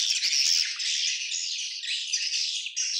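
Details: Many swiftlets of a colony calling together, a loud, unbroken stream of high, squeaky twitters and trills.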